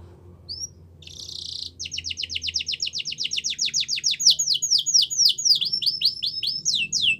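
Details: Yorkshire canary song used to train canaries: a single high note and brief buzz, then a long accelerating series of quick descending sweeps, about four per second, growing louder.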